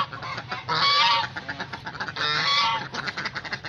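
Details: Domestic geese, kept at home with ducks, at feeding time give two long, loud, harsh honks about a second and a half apart, with softer chattering and gabbling calls between them.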